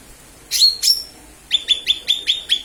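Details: Calling lesser green leafbird on a lure recording: two loud high notes, then a steady run of seven clear, evenly spaced chirps at a constant pitch.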